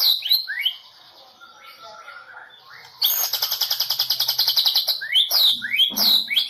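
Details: Champion Medan white-rumped shama from the 2018 President Cup competition, singing: soft varied whistles and warbles, then a loud fast rattling trill and sharp rising whistled notes near the end.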